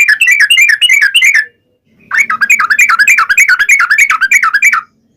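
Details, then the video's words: Long rapid trill, the ropel panjang style, from a trucukan or Yellow-vented Bulbul used to draw answers from other birds; fast wavering whistled notes run together, a short gap, then a longer burst of over two seconds. "KICAU SUARA trucukan gacor ropel panjang pancingan trucukan agar bunyi MENJADIKAN trucuk gacor NYAUT"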